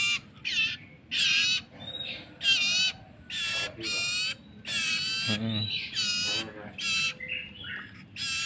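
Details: Common iora nestling hand-fed, calling with harsh squawking bursts repeated about every half second, briefly overlapped by a low human voice.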